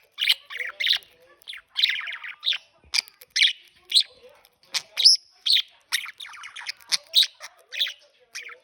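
A budgerigar chatters in quick, scratchy chirps and warbles, with short pauses between bursts.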